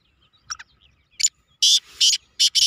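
Black francolin giving a loud, harsh, grating call of four rasping notes in quick succession, after a couple of softer, shorter chips.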